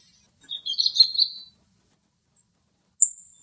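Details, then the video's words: A migratory thrush recorded in Greek nature gives a brief warbled, twittering phrase of about a second, then a single thin, very high note slurring downward; nothing else is heard. "Τσίχλα η Κίχλα - Thrush bird"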